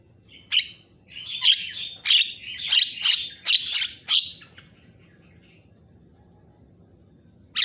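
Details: Javan myna tutoring song, varied and energetic, said to make other mynas agitated: a run of eight or so harsh, buzzy chattering notes over three seconds, then quiet and a final sharp burst.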